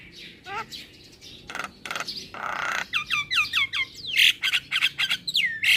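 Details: Young male black-winged myna in song, kept for tutoring and calming stressed mynas: harsh noisy squawks give way to a run of quick descending whistles, then loud shrill chattering notes and swooping calls.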